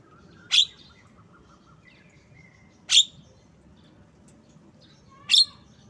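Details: Javan myna giving three loud, harsh, broadband notes, each a short sharp burst spaced about two and a half seconds apart, with faint softer chirps between them over a quiet low background hum.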